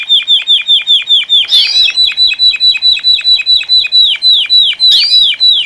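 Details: Captive Saffron Finches (Sicalis flaveola) singing together at a breeders' meeting: a steady string of clear down-slurred chirps, roughly three per second, with occasional higher squeaky notes from another bird and faint low thumps.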